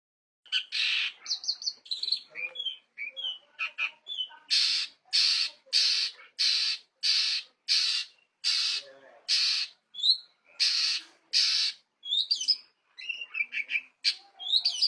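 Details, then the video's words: Long-tailed shrike, known locally as pentet, singing actively; a varied run of chattering phrases, then a long series of harsh, buzzy rasping notes repeated about every half second, followed by mixed squeaky and whistled notes. "Burung Pentet Gacor"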